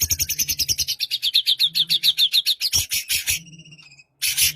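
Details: White-rumped shama singing, used as a lure to start a quiet bird, morning or afternoon: a fast, steady string of buzzy chattering notes, then harsh rasping bursts, a thin whistle, and a final loud rasp.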